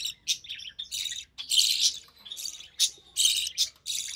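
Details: Recessive pied budgerigar chick, hatched early June 2020 to a White Recessive Pied father and Albino Red Eye mother, calling while the mother feeds it; raspy high chirping bursts in a rapid series, with short pauses between bursts.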